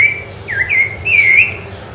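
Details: On Ilha do Governador in January 2013 a Rufous-bellied thrush sings loud, pure whistled phrases: a level note, then a swooping drop and rise, ending in a long wavering whistle.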